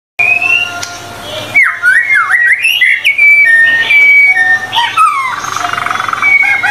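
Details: White-rumped shama singing vigorously in a tutor recording: loud clear whistles that slide up and down, varied notes in quick succession over a faint steady hum.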